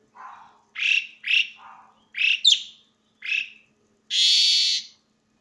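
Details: Asian pied starling giving a loud song: short harsh squawky notes and chirps in separate bursts, some rising sharply, ending in a long broad rasping screech.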